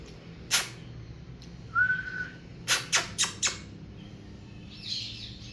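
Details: Grey parrot, a talking African grey among repeated "hello" and "that's cool" speech, gives a sharp burst, then a short level whistle, then four quick harsh clicks about a quarter-second apart, with a soft hiss of room noise behind.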